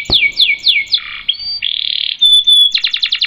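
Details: Vocal canary with long rolls: three falling whistled notes, a low buzzy burst, a sustained harsh rattle and a thin high tone, then a quick stuttering trill. Used as master and lure song for other canaries.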